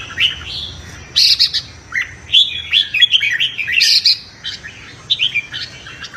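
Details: Red-whiskered bulbul singing in competition-style song used to stimulate wild males, giving bright, bubbly whistled phrases that rise and fall in quick bursts of a second or so with short pauses.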